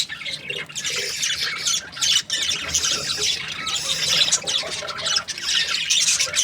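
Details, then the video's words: Breeding pairs of budgerigars chirping happily, a thick, continuous chatter of rasping warbles and high squeaks from many birds. "Happy budgie chirping sounds | breeding pairs"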